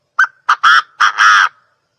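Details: Five harsh, raspy quail calls in rapid series, loud and rough-edged, the last one the longest.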